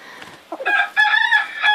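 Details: A feisty, molting 7-year-old Andalusian hen, a lap chicken, sitting in an old brooder box in the morning. She growls with a short rising note, then a drawn-out, nasal, wavering vocal lasting over a second, repeated in two pulses.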